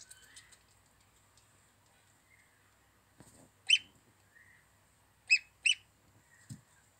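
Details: Young goose chick, cute and chubby, calling with sharp high-pitched peeps, a single one followed later by a quick pair, then a dull low thump near the end in an otherwise quiet setting.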